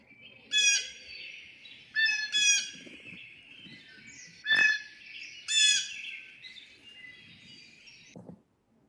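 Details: Blue jay, a common winter bird in Manitoba, giving harsh, squawky calls: about five loud, raspy, noisy screeches spread over eight seconds, with a faint background hum.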